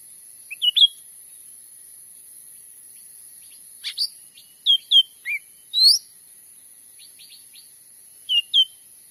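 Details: Grey-bellied bulbul used as a lure for trapping birds in Sumatran forest: a series of short, sharp whistled chirps and upslurred notes in loose groups, plus faint rapid ticking, over steady high hiss.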